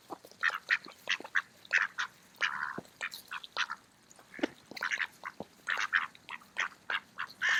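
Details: Several mallards feeding at a park on an autumn day keep up steady, rhythmic quacking, with short nasal notes repeated in quick succession and some louder calls standing out.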